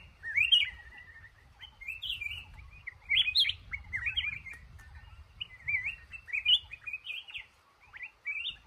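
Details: Male red-whiskered bulbul in a trap in a cashew garden, singing bright, slurred whistled phrases in short bursts with brief pauses, over a faint low background rumble.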